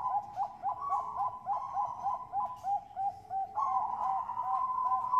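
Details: Bangkok-type zebra doves from a breeding farm in Bekasi, West Java, Indonesia, singing as a lure to prompt other doves to sing: rapid overlapping staccato coos repeating about three per second, several voices layered, with a soft hiss behind.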